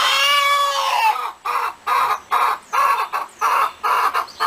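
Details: Fowl giving a long, drawn, wavering squawk, then a run of loud, harsh pulsed notes repeated about twice a second.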